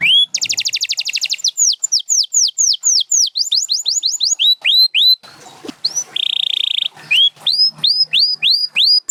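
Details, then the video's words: Song of a champion canary, Gloster or Spanish Timbrado, for training: a fast buzzy roll, series of clear rising and falling whistles, a brief pause, a steady buzz, then more upswept whistled notes. "7 Days to a Singing Canary"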